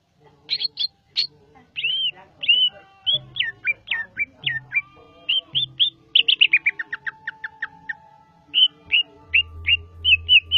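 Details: Javan greater green leafbird in lively song: varied whistled chirps and downward slurs, a fast rattling series midway, then paired sweet notes; low background music throughout.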